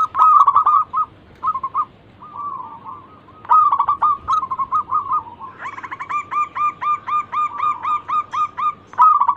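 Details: Local zebra dove, a prolific singer used as a lure to coax other birds into song: runs of short, clipped cooing notes, then a quick even series of hooked notes at a steady mid pitch, with a low hum behind.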